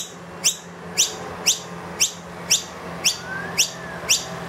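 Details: Noisy miner, wild, indoors with its two young, calling insistently for food after the feeder emptied: clipped, high upward-sweeping chirps at about two a second, plus a faint soft whistle in the background.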